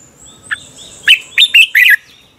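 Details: Red-whiskered bulbul competition-style morning song for training birds: a soft short note, then four loud rising whistled notes in quick succession over a faint steady high whine.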